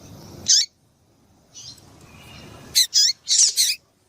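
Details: Female double-collared seedeater call meant to excite a male into singing: one sharp high chirp, a faint softer note, then a rapid run of four bright chirps with dropping tails, over quiet low background hum.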